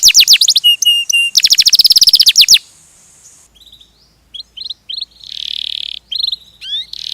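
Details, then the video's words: Canary in full 'ngerol' rolling song: loud rapid trills of down-slurred notes and a steady buzzy roll, cut off sharply, followed by quieter scattered chips and thin trills from farther-off birds. "Kenari Ngerol Gacor - Banyak burung kenari cepat gacor dengan suara kenari ini"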